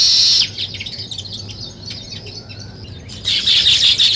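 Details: Weaver birds busy at nest building: loud high chorus of chirps at the start, a quieter stretch of scattered chips, then the busy twittering chorus returns strongly near the end.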